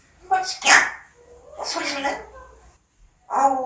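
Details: Pet parrot uttering a few speech-like phrases, raspy and harmonic, with a short pause before a final voiced syllable.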